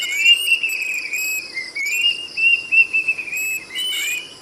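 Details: Plaintive cuckoo song of long, wavering whistles that rise and dip, nearly continuous, with a steady background of insects buzzing at high pitch.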